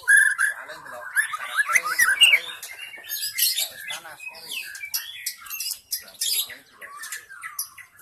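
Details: Forest white-rumped shama singing, a lure recording meant to draw in shamas: a rich, jumbled medley of quick whistled notes, chattering trills and clicks following one another without pause.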